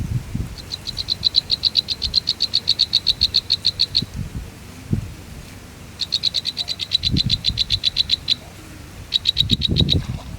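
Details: Baby birds begging on the nest as the mother brings food: long runs of rapid, high, even ticking notes, several per second, in three bursts with pauses between, over rustling and soft thuds.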